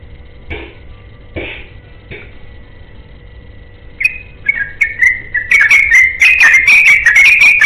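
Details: A yellow-vented bulbul looking for a companion opens with three soft, spaced notes and a short silence, then launches into a rapid ropel song of bubbly whistles that grows louder and denser.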